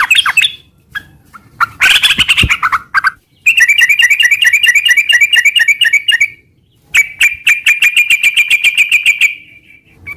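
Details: Sooty-headed bulbul song used as a lure to provoke caged birds into answering: varied bursts of chattering notes, then long runs of rapid warbled, bubbling phrases around a steady pitch, broken by short pauses.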